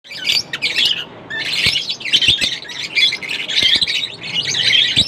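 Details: Lovebirds chirping non-stop, a dense stream of harsh, high chattering chirps and squawks in bursts with brief pauses, several birds calling over one another, plus a few sharp clicks or taps.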